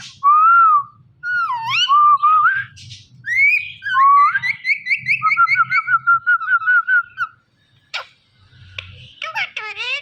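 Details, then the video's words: Indian ringneck parakeet on a Thursday night: loud clear whistles sliding up and down, a fast trilled run of repeated notes, then scratchy squeaks and a final descending chatter. "Ringneck Parrot Talking"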